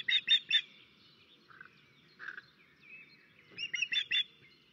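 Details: Estonian nesting osprey, 13 May 2024, calling as a crow attacks the nest: clipped three-note whistled bursts at start and end, with lower hoarse notes between, over faint rustling.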